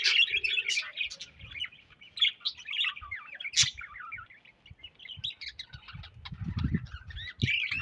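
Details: Budgerigar colony chirping: clear warbling chatter of rapid rising and falling whistled notes and short squeaks, with a few sharp clicks and a low rustling thump near the end.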